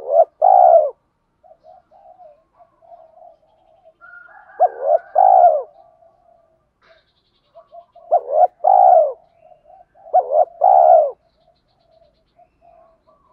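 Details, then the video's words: Repeated spotted dove cooing for stimulating trained birds, male and female: four loud, two-part coo phrases spaced a few seconds apart, each a brief note then a longer coo, with soft continuous murmuring between them. "Tiếng chim cu gáy THÚC GÙ Gáy Gọi"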